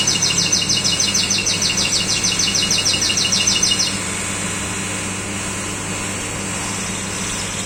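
A common nightingale sings a fast, high, repeated trill for about four seconds, then falls silent over a steady low hum of distant traffic.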